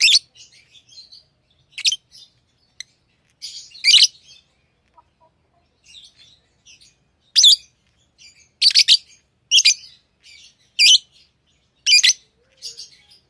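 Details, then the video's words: Pet lovebirds chirp repeatedly in harsh, shrill bursts, sometimes in rapid pairs, more densely in the second half, with soft faint chatter in between. "Love birds Sounds | lovebirds chirping sounds"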